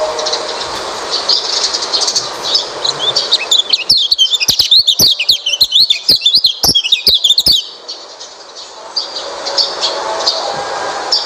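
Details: Oriental white-eye song used to coax a quiet white-eye into singing: a rapid, jumbled run of high twittering notes, strongest in the middle, over a steady broadband hiss that returns at the end.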